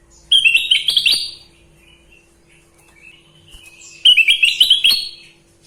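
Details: Sooty-headed bulbul delivering two energetic bursts of fast, jangling warbled whistles, each about a second long, roughly four seconds apart with near silence between.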